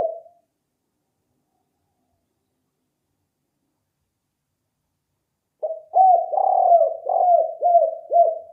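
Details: Spotted dove cooing for luring birds: after a long silence, a run of low, rounded coos with dipping, hooked shapes, delivered in quick succession over about three seconds.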